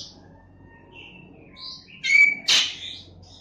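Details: A Black-winged myna recorded on Friday 28 September 2018, said to mimic a cat's meow, gives scattered thin high whistles, then two loud harsh, nasal bursts close together near the end, over a quiet background.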